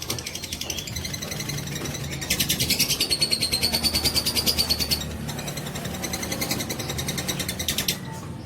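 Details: Fighter lovebird lure trill in the ngekek style: softer chatter at first, then a loud stretch of rapid pulsed high notes with a thin rising whistle, a quieter pause, and another burst of fast rattling notes.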